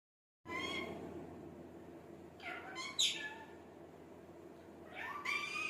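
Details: Ringneck parrot talking: a few short, speech-like harmonic utterances with sharp, bright upper bursts, separated by quiet pauses over a steady low hum.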